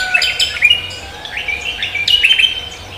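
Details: Lively cucak kombo morning song: quick high whistles and bent chirping notes in short bursts, with a brief pause in the middle before another run of bright tweets.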